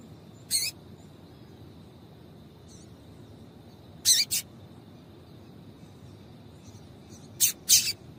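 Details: Female double-collared seedeater call, used to stir males into singing: three short, sharp, noisy chips spaced several seconds apart, the last two as quick pairs, over a steady faint high electronic whine.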